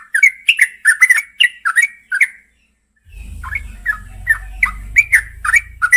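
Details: Night singing of a female yellow-vented bulbul calling the male: quick liquid slurred notes repeated rapidly, continuing over a low droning rumble that starts halfway through.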